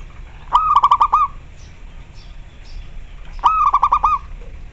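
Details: Calling local zebra dove, kept for teaching other doves to sing and stirring their breeding urge: two bursts of fast, stuttered, ringing notes about three seconds apart, over a steady low background rumble.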